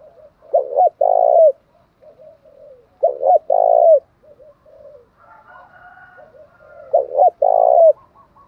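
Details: Spotted dove song in the 'thổ pha đồng' style, with three low, mellow cooing phrases about every three seconds, each a short stutter into a long rolling coo. Soft higher bird notes are heard between them.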